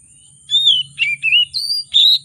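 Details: Oriental magpie-robin giving a rich 'isian mewah' lure song to provoke quiet birds: five sweet whistled phrases, arching and slurred, spaced about half a second apart, with a steady high hiss and low hum beneath.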